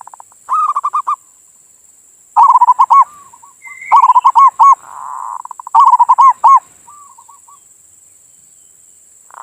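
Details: Perkutut, a local zebra dove, cooing in manggung style, played mornings and evenings to provoke other doves to sing: four loud rolling coo phrases about every 1.7 seconds, each ending in a soft trill, over a constant high whine.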